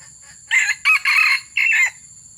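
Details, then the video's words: Red junglefowl crowing during a session luring wild junglefowl: a short, loud, harsh crow broken into four bursts over about one and a half seconds, the last burst trailing downward, over quiet background hiss. "Suara aneh dalam video mikat ayam hutan"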